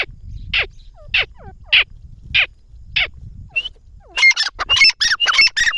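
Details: Grey francolin giving a steady series of strident notes about every 0.6 seconds, each with a soft falling tail. A dense, rapid burst of overlapping shrill calls follows near the end.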